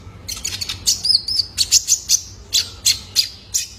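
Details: {'text': "Juvenile male Van Hasselt's sunbird, kept for training caged birds. A burst of high, jumbled twittering, then sharp chips at regular spacing, about three a second."}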